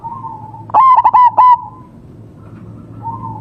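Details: Local zebra dove near a homemade bird trap gives one brisk phrase of four clipped, resonant coos, while softer sustained cooing of other doves drifts in before and after.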